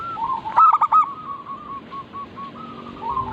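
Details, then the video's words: Zebra dove, a local bird, from a lure recording to make doves sing: one stuttered burst, then a slowing series of short, clear coo notes spaced evenly over a faint background hiss. "Burung perkutut lokal Pancingan agar cepat bunyi cepat manggung"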